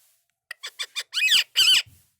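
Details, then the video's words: Brief burst from an Indian ringneck parakeet: four soft staccato notes followed by two longer, louder, rasping speech-like syllables. "Best Indian Ringneck Talking Parrot"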